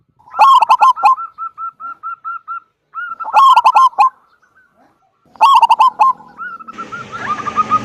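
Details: Frequently singing local zebra dove with a big 'kung' voice, used to coax other doves to sing: three loud bursts of quick stuttering coos, each trailing into a steady string of short soft notes, with rising hiss at the end.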